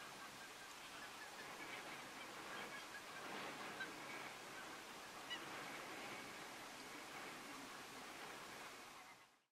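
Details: A flock of taiga bean geese in Audru, Estonia, in March 2020 keeps up a dense, overlapping chorus of honking calls blurred into a steady roar, a few louder notes standing out.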